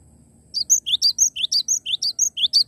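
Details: Cinereous tit singing vigorously, a live bird rather than a playback: after half a second of quiet, a rapid run of about eleven high notes, rising upswept chirps alternating with thin piercing whistles, roughly four per second.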